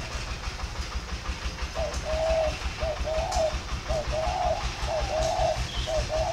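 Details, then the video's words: Spotted dove at a Ba Vì, Vietnam bird farm cooing plainly in a warm three-note thổ pha style. Mellow repeated coos over steady rumbling background noise. "thổ pha cực ấm chỉ gáy trơn (cúc cù cu 3 tiếng)"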